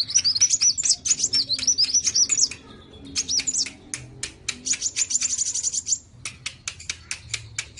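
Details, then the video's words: Sunbird in a lively contest of two kinds of sunbird: rapid, high twittering phrases mixed with sharp, dry clicks and ticks, a brief quieter break midway, then more chattering. "KOLIBRI NINJA VS KOLIBRI WULUNG SUPER GACOR"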